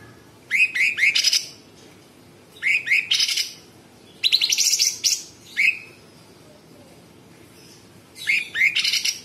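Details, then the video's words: Cucak cungkok (sooty-headed bulbul) in lively song. Clusters of rising whistled upslurs each run into a rapid harsh chatter, spaced a couple of seconds apart, with one longer buzzy rattle midway. "Cucak cungkok gacor Variasi suara tembakan istimewa besetan kasar jeda rapat dan FULL ISIAN"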